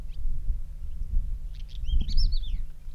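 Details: Pied wheatear recorded in Bulgaria in May on a windy day: a brief burst of scratchy, warbled high notes with quick up-and-down slurs, heard over heavy low wind rumble.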